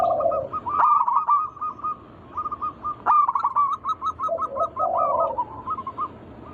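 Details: Local zebra dove song played to lure other doves to sing: low gurgling coo, a dense rattle of clipped notes, then evenly spaced pulsed notes and a second gurgle near the end.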